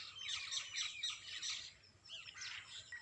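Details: Birds singing in the early morning: dense bursts of high chirps and twittering phrases, several voices overlapping, with a brief quieter gap near the end.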